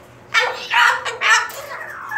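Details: A female pet cockatoo, upset at being put back in her cage, gives three harsh, raspy screeches about half a second apart, then trails into a softer, drawn-out squawk.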